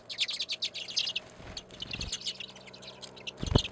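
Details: Redpolls at a seed feeder on a back deck in Anchorage, Alaska, in February winter give quick, high twittering chips in a busy run, several birds overlapping; low thumps and brief handling noises near the end.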